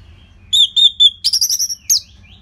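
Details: Orange-headed thrush song played to train other birds, from northern Bali: three clear level whistles, then a quick run of rapid chattering notes and a final high upslurred whistle, with a faint low hum beneath.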